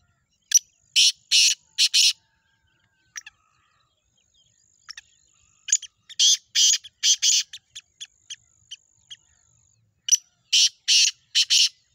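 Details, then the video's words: A Black francolin gives loud, harsh, grating notes in clipped bursts of three or four, repeated in phrases every few seconds, with a faint thin whine running underneath. "black partridges chakri wali tettar"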